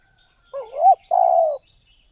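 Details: Single spotted dove phrase, Indonesia, from a lure for wild doves: a low wavering coo that swells upward, a brief gap, then a longer level coo fading away, over faint high background hum.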